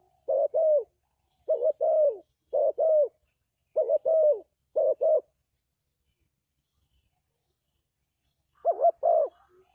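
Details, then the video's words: Spotted dove calling as a lure for trapping: clean, mellow cooing phrases, each a short double note followed by a longer, slightly falling coo. Six phrases in ten seconds with a pause before the last, and no background sound. "Suara Burung Tekukur Bersih Cocok Untuk Pikat"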